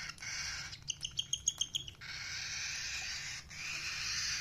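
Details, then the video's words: A ring-necked parakeet gives a quick run of about eight sharp, high chirps within one second, against a steady hiss. "Parrot chirping sound | parrot voice | ringneck parrot"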